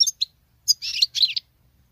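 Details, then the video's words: Female European goldfinch singing like a male: a few clipped chirps followed by a buzzy, slurred twittering phrase. "Femelle chardonneret qui chante que le mâle l c'est bizarre !!!"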